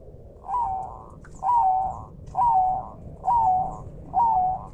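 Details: A clear, vocal zebra dove of the Bangkok strain, set against forest and river ambience for training caged birds: five smooth warbling coos, each slightly falling, repeated at an even pace of roughly one per second over faint low rumble.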